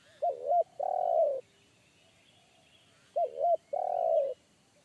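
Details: Wild spotted dove calling in forest, a big-voiced bass one-kuk bird that made a trainee decoy dove back off. Two phrases about three seconds apart, each a pair of quick coos and then a prolonged rolled coo.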